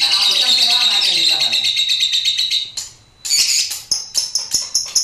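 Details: Lovebird of the fighter type, about three months old, singing in the ngekek style with a head-shaking display: a long, unbroken, shrill high chatter, a brief pause, then sharp chirps repeated in quick succession.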